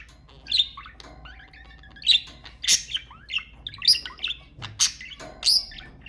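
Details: Budgies chirping to prompt mating: clear sharp chirps and squeaky calls repeated about every half second, interleaved with soft chatter and a faint low tone.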